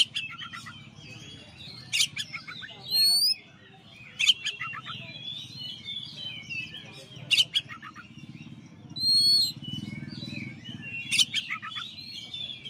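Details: Caged champion white-rumped shama singing a master song: loud varied whistled and chattering phrases with sharp clicks and upslurred notes, a busy background of other birds' chirping and a low hum throughout.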